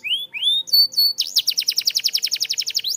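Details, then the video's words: Canary singing a training song: two rising whistled slurs and short whistles, then a loud, rapid, regular trill of sweeping notes. Clean, with almost no background noise. "Super Active Canary Singing Makes Your Canary Sound"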